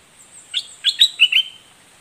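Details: Red-whiskered bulbul, southern Thai type, singing a short doubled phrase: four or five liquid chirps rising and falling quickly, with a steady high hiss behind.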